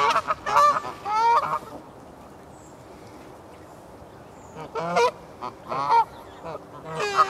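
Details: Canada geese in Herten castle park, Germany: a burst of loud nasal honks, a quiet gap of about three seconds, then another cluster of honks.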